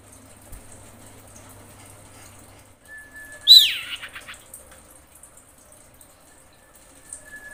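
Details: Common iora female calling males, used as a lure sound: a thin, steady mid-pitched tone, then a single piercing downward-slurred note trailing into a few soft echoing notes.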